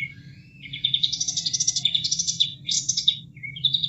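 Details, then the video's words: Bulbul (kapas tembak) song for training caged birds: a rising burst into a dense, rapid, buzzy trill of high notes, a brief squeaky phrase and a short whistle, over constant flowing-water sound. "Masteran Kapas Tembak"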